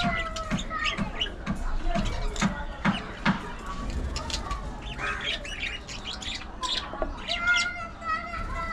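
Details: Aviary colony of budgerigars giving scattered short chirps and clear whistled notes, some held briefly at a steady pitch, over a soft low rumble and a few faint flaps.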